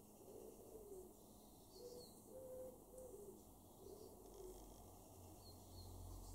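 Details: A wood pigeon in a garden in Weener, East Frisia, northwest Germany, in August 2023 gives soft, low, hooting coos in a rhythmic run of about five notes, the middle ones stressed. Faint chips from another small bird and a low background rumble.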